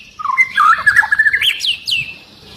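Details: Long-tailed white-rumped shama singing agitatedly, said to make other shamas join in; a rich, tumbling warble of fast twisting whistles climbing into sharp high upslurred notes.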